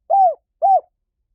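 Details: Two separate rounded coos from a spotted dove, each about a quarter second, soft and hollow with a slight fall, in clean silence.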